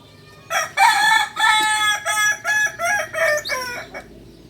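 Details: Multi-tiered crow of a kukuak balenggek rooster, a rare native chicken from Solok, West Sumatra. After a quiet half second, seven or eight distinct stepped segments follow, strong at first and ending on a bending final note.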